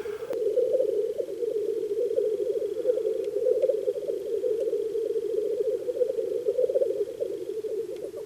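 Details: Black grouse males displaying at a spring lek, circling bushes with wings spread along the ground and sending out love songs: a steady, low, bubbling rookooing chorus from several birds at once, without pause, with a faint thin tone above.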